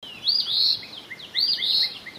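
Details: An Eastern phoebe in song, as summer approaches, gives two raspy, buzzy 'fee-bee' phrases about a second apart, each a high burry note then a lower stuttered one, saying its name, over faint background hiss.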